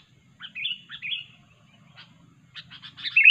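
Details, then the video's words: Sooty-headed bulbul heard as a trapping lure: two clear, slightly wavering whistled phrases, a pause, then a brief series of buzzy chatter notes ending in a sharp whistle. "kutilang super ganas dan gacor"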